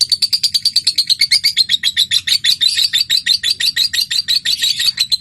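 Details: Lovebird giving a long ngekek chatter used to prompt other lovebirds to sing: a fast, unbroken series of sharp, high chirps, about six per second, evenly spaced and scratchy, running throughout with no pause.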